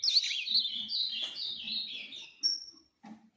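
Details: Ultramarine grosbeak delivering a dense warbled phrase of high slurred notes, ending in a thin steady whistle, with soft low murmurs underneath.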